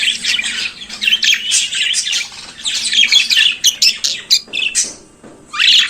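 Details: Budgerigar singing in the morning with rapid buzzy warbles and squeaky chirps in dense runs that thin out near the end, then one last scratchy burst.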